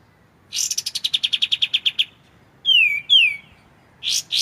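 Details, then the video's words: Clear white-shouldered triller song, recorded as tutor material for magpie-robins: a rapid run of about a dozen evenly spaced chirps, then two strong descending slurred whistles and closing harsh double notes. "MASTERAN kapas tembak suara jernih"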